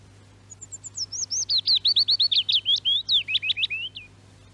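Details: Norwegian willow warbler singing through the summer, recorded for radio archives: a rapid, wistful run of whistled notes tumbling down the scale over about three and a half seconds, ending with a few slurred lower notes, faint hum behind.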